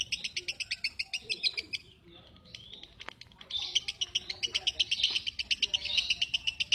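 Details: Lovebird giving rapid, high, scratchy chirps in quick regular bursts, briefly pausing near the middle before resuming a dense, harsher run of repeated notes; a faint low rumble underneath.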